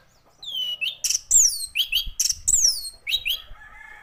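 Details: Loud, continuous song from an orange-headed thrush: sweeping whistles that drop steeply in pitch, alternating with sharp high chips in a steady, energetic flow.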